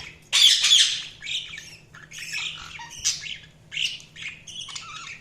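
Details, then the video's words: Budgerigars chirping in a quick, uneven string of scratchy chattering notes and short squawks, a low electrical hum underneath. "Budgies Soundsq Chirping sound"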